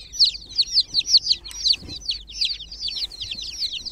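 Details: Loud, piercing peeps from groggy chicken chicks in a water pool come in a fast series, about two per second, then blur into softer overlapping chirps.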